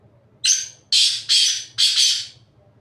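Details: Harsh, ratchety phrase of a black francolin perched on top of a rock: one long rasping note followed by four loud, coarse notes paired closely, delivered within two seconds.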